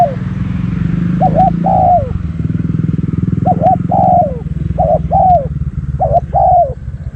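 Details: Spotted dove acting as a decoy, giving four cooing phrases of a quick double note and a downward-curving coo, with a motor running underneath throughout.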